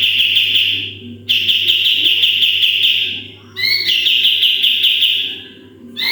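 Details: Sooty-headed bulbul singing actively as a training model: repeated long bursts of rapid, buzzy high trilling, one opened by double rising whistles, with brief quiet gaps between phrases.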